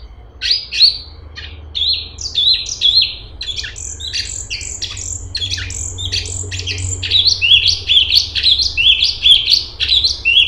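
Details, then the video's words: Very vocal straw-headed bulbul (cungkok) delivering a tight, rapid song: a continuous run of high chirpy notes, dense and jumbled at first, then settling into quick repeated slurred whistles. "Cungkok super gacor besetan rapet"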